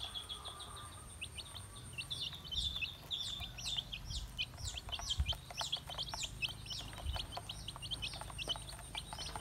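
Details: Baby chicks feeding, giving a steady stream of short, high peeps that overlap from many birds, some sliding up and others down, with quick ticking pecks and a faint low rumble beneath.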